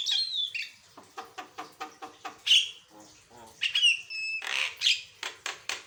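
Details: Steady varied singing of a Javan myna for training other birds, with a descending whistle, a run of evenly spaced rasping clicks, then longer level whistles and harsh broad squawks.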